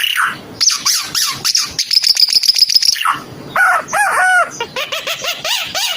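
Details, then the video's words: Timor red-eyed bird singing a lively, varied phrase: quick high chirps, a rapid trill of repeated notes, then looping whistled slurs that rise and fall. "Kicau Burung Ara UNIK Mata Merah Suara Gacor"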